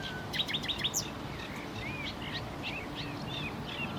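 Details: Common nightingale song made of rapid, varied phrases: quick high chips, slurred whistles and short warbled notes following one another without pause, over a constant low background hum.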